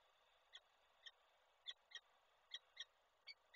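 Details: Peregrine falcon in Koszalin, Poland, on 29 November 2023, with the male delivering prey that the female does not take. Rough, scratchy notes repeat irregularly in singles and pairs, somewhat distant, over a constant hissing background.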